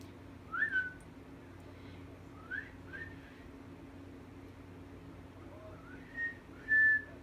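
A cockatiel gives short, clear whistled notes, some rising, over a low indoor hum.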